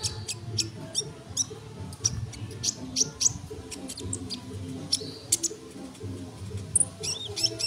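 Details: Sunbird song, recorded for tutoring other songbirds: a busy run of sharp, high-pitched chips and short twittering phrases with a few brief rising notes, low rumbling noise underneath.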